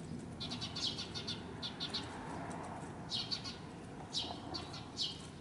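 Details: Parent Eurasian tree sparrow in an apartment bicycle parking area, Japan, decoying a predator away from its fledgling. Irregular groups of quick, high chips, some doubled, with brief pauses, over a faint low rumble.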